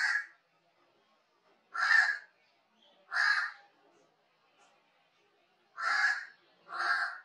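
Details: Crow giving harsh, hoarse caws, five separate calls spaced irregularly about one to two seconds apart, clean and loud against a quiet background.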